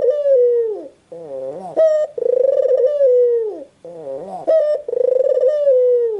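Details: A white ringneck dove repeats its coo cycle. A long, rich, gently falling tone, a wavering dip-and-rise note and a short sharp note occur in turn about every two and a half seconds. No other sounds are present.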